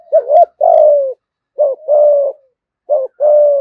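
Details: 'Thúc gù' cooing from a spotted dove lure bird with a 'giọng thổ' voice: three rounds of a short hoot and a long falling coo, evenly spaced, loud and close.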